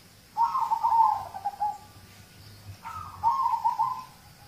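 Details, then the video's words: Local zebra dove song used as a lure to prompt other birds to sing: two soft, rapid bursts of low cooing notes, each phrase about a second long with a slightly falling, stuttering rhythm, separated by a pause over steady faint background hiss. "Audio terapi perkutut lokal untuk pancingan"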